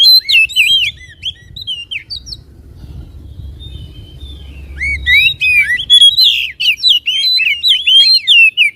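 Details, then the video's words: White-rumped shama song for baiting a caged bird into excitement and tail-spreading; dense, fast medley of bright twisting whistles and chirps, a short lull with low rumble, then a louder rich outburst. "PANCINGAN SUARA KACER AGAR CEPAT EMOSI DAN BUKA EKOR"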